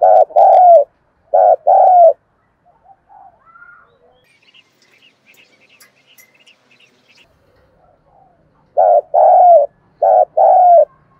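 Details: Spotted dove cooing: paired deep, hollow coo notes open the clip, then a quiet stretch of faint distant chirps, then several more rhythmic coo pairs resume near the end.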